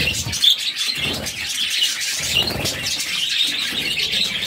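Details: Hungry budgerigar babies during feeding by their mother, one of six chicks in the nest: continuous high, scratchy chirping in overlapping rapid notes with a few thin whistled squeaks.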